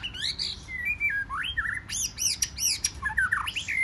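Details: Wild-caught white-rumped shama in competitive forest-voice singing: harsh squawky notes mixed with sharp upward sweeps, a cluster of rapid repeated high chirps in the middle, then rising whistles.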